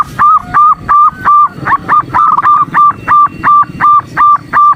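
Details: A female zebra dove calls to lure and excite a male during a morning session. Even, honking mid-pitched notes repeat steadily, roughly three per second, with a brief wavering stretch midway and a faint background hum.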